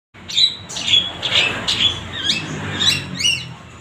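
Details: Long-tailed shrike (cendet) song, played to coax reluctant shrikes into singing: harsh, scratchy notes mixed with short clear whistles, about two per second, over a low background hum.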